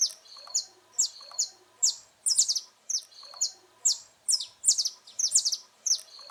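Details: Saffron finch singing, used to teach young birds: repeated high, piercing whistles and clipped chips in short phrases near every half second, occasional clustered notes, with soft lower chatter beneath.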